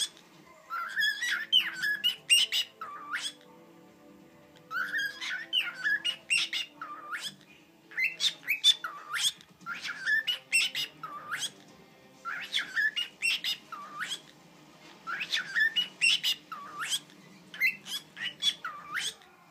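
A cockatiel repeats a short, scratchy, speech-like phrase mixed with whistles, about every four seconds.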